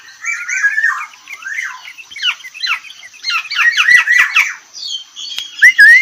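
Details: Black-naped oriole delivering its characteristic whistled song in a rapid, tightly packed style, with dense runs of slurred, squawky notes rising and falling, then a louder clear whistled phrase near the end.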